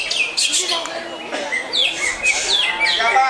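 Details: Greater green leafbird song of quick, high, downward-slurred whistles and chirps repeated several times a second, with a constant low background murmur.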